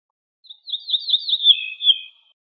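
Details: Wild ortolan bunting song: a flowing series of whistled notes that step gently downward, finishing with two louder, lower whistles over about a second and a half, in clean silence.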